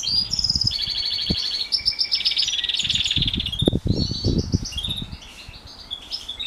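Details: House finch x canary hybrid in morning training song: rapid buzzy trills and warbling notes over the first seconds, fading to scattered chirps, with loud low thumping and knocking noises in the middle.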